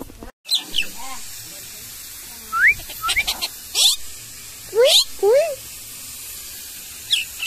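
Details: Common myna vocalizing: scattered sharp clicks, squeaky rising whistles and short chattering notes in irregular bursts over a steady background hiss.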